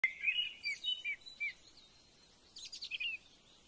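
Yellow-browed bulbul giving a quick run of clear, slurred whistled notes, then a brief burst of higher chattering phrases after a short pause.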